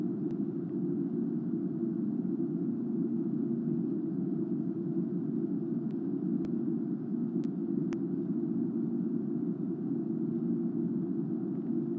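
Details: A steady low rumble of traffic or machinery fills the whole stretch, broken only by a few sharp clicks, with no animal voice.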